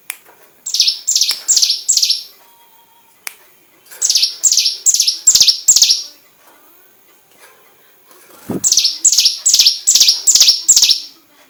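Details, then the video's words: Training song of a hill prinia for white-rumped shamas: three phrases of five to seven loud, piercing, downward-slurred notes in quick even series, separated by pauses of about a second, with one soft low thump. "Burung prenjak gunung master tembakan murai batu"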